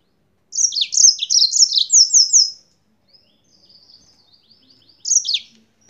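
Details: Spanish-origin yellow-fronted canary singing a long fast phrase of repeated high downslurred notes, followed by faint soft twitters and a brief final burst.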